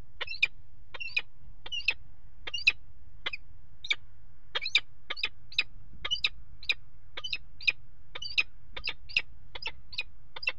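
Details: Peregrine falcons mating on the ledge of a water tower nest box at Axel, Netherlands, 5 February 2018: a long run of grating, clipped kek notes, evenly spaced roughly every half second, with a constant low hum underneath.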